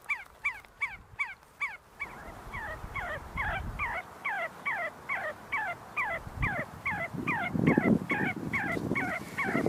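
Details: See-see partridge in Kurdistan, among a group feeding and fighting at the University of Sulaimani, giving a long steady run of short, falling whistled notes, roughly two per second, over a low rumbling background hum.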